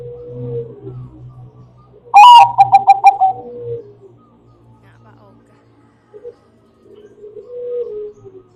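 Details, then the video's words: Zebra dove (Bangkok type) voice used as a lure for other doves: soft low coos, then a loud burst of ringing notes, a short loud series, and fainter coos later. "Bunyi burung perkutut bangkok"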